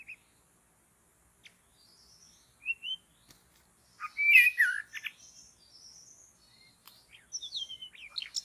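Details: Wild white-rumped shama in forest during trapping: scattered thin whistles building to a loud tumbling phrase of slurred and chattering notes, followed by high twitters and quick chirps.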